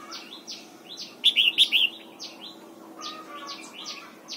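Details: Red-whiskered bulbul singing in the morning while being trained in the double-note wild-style song: a loud burst of four looping, whistled notes stands out against a background of softer, repeated downward chirps.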